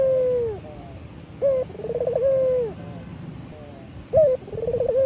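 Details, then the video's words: Local male Barbary dove singing in repeated phrases. Each starts with a short clipped high note, then a quick wavering trill, then a drawn-out mellow coo that sinks at the end. There is a faint low rumble behind. "Suara Burung Puter Gacor , merangsang burung puter agar bunyi | burung puter Lokal jantan gacor ."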